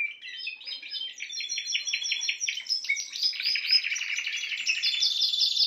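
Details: Song of a Spanish timbrado canary, continuous rolling trills at two pitch levels, rapid repeated notes blending into a buzzy, metallic stream.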